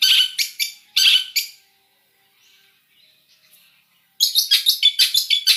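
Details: Long-tailed shrike song with mixed imitated phrases: harsh, broadband chattering bursts in quick sequence, a pause of near silence with faint notes, then rapid scratchy repeated notes resume.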